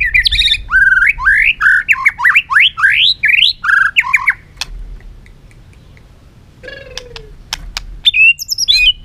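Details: White-rumped shama, a caged bird singing to rouse another into competitive singing: rapid run of varied rising whistled notes and slurred phrases for about four seconds, then a pause and a few sparse whistles and clicks.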